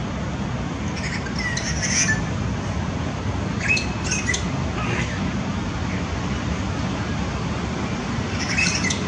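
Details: A flock of grey treepies in a flame tree mobs a male and a female hawk on 21 February 2018. They give harsh, grating squawks in short scattered bursts over a steady low rumble of wind or distant traffic.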